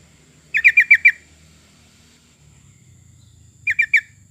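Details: Sooty-headed bulbul song played as a lure to prompt other birds to sing: a quick run of five bright, bubbly notes, then a pause and a shorter burst of three, with faint low rumble underneath.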